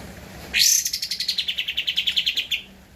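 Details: Singing energetically, a Javan white-eye (kapas tembak) on a master recording for training cage birds gives one two-second trill: a sharp high onset sliding down into about twenty quick, evenly pulsed high notes.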